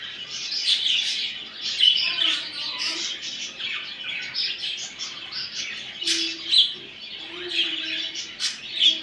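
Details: Budgerigar chatter for encouraging a male to mate: rolling high chirps and warbles from several birds, punctuated by sharper emphatic notes and a few lower nasal tones in the second half.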